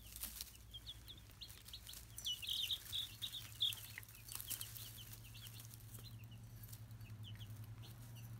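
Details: Ameraucana chicks peeping at a high pitch, with a quick run of repeated peeps and a few soft wing flutters, then sparser single peeps over a low background hum.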